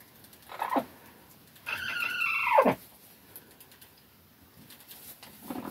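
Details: Rooster crowing where young roosters are said to be afraid of the old roosters: one hoarse, harmonic crow about a second long that ends in a steep falling slide, with short squawks just before and after it.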